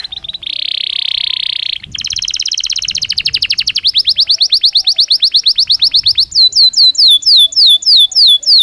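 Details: Belgian canary singing naturally, recorded as daily training stimulus for other canaries: a steady buzzy note, then fast rolling trills speeding up, ending in sharp repeated downward-sweeping chips about three per second.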